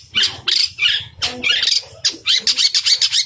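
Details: Long-tailed shrike singing in fighting mode, bursts of harsh, scratchy high chatter broken by short pauses, with a low hum in the background.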